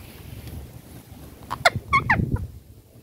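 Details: Ring-necked parakeet calling: a quick burst of three or four short, squawky, bending notes packed into under a second midway through, set against a soft low rumble with otherwise quiet surroundings.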